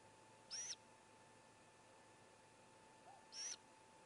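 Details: Great gray owl owlet among four nestlings while the youngest gulps down a whole vole; a pair of strong, high, hoarse screeches roughly three seconds apart over a constant electrical hum.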